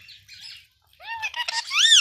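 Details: Indian ringneck parakeet, a talking pet bird, giving soft chatter then a sequence of clipped nasal speech-like syllables ending in a loud arched squawking phrase.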